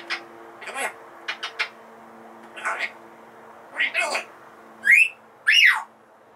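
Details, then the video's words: Pet female Congo African grey parrot indoors, said to know over 500 words, beeps and songs, gives short speech-like syllables and clicks, then two loud rising whistles near the end; a steady low hum runs underneath. "Grey Parrot Talking Congo African Bird Talk Singing"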